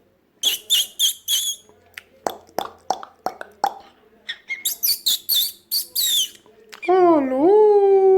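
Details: Pet Amazon parrot, nine months old, kept indoors, having just learned to cough: a run of short, harsh, cough-like bursts in quick succession, some in rapid clusters, then a long wavering voiced note at the end.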